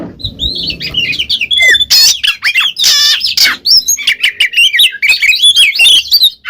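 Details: Ngeplong-style Oriental magpie-robin song meant to draw a reply from a mute bird: dense, continuous warbling with rising and falling whistles, harsh scratchy bursts, and tumbling fast phrases.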